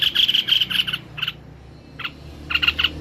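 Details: White-necked babbler singing vigorously: a quick run of sharp, high chipping notes, then scattered short doubled chips after a brief pause, with a soft low hum underneath.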